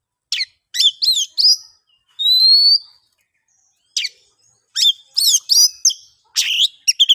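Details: Oriental magpie-robin in the ngeplong singing style, used to coax silent birds into song. Bursts of sharp, varied chirps alternate with a long rising whistle and its upper tones, then more clipped notes. The background is silent.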